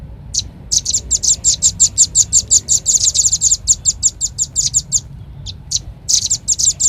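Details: Velvet-fronted nuthatch lure call made of quick, evenly spaced, piercing chips at several per second. The series pauses once, then ends in a denser flurry.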